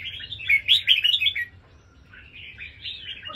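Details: A crossbred Indonesian-line red-whiskered bulbul of fighting stock sings two quick, bubbly whistled phrases, the first loud and warbling, the second softer, with a faint low rumble beneath.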